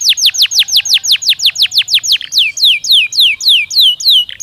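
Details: Belgian canary song meant to warm up and train canaries: evenly spaced sharp downward-sweeping notes, about five per second, shifting to rising, curved notes in the second half.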